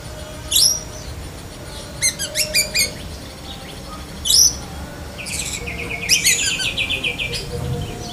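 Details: Oriental magpie-robin of the black-breasted form, its song linked with copied lovebird phrases: a high upslurred whistle, a cluster of clipped ticks, another sweep, then a long chattering run of fast repeated notes.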